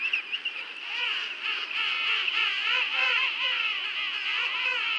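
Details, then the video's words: Many penguins calling at Fortuna Bay: loud, dense chorus of rapidly wavering, bleating trumpet calls that overlap continuously, some rhythmic pulsing voices standing out above the colony din. "Fortuna Bay Penguins and Sounds"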